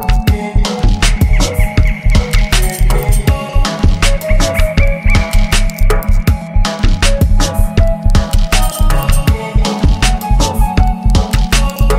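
Upbeat Afrobeat-style music with a steady heavy bass beat and layered instruments; no animal calls.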